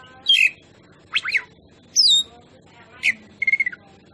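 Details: Oriental magpie-robin song used as a lure for other birds: a few separated phrases of harsh notes, whistled downslurs and a short rapid trill near the end.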